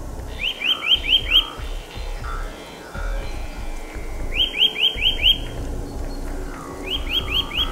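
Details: In a forest in March, a Eurasian nuthatch sings rapid series of clear, upslurred whistles repeated in short bursts.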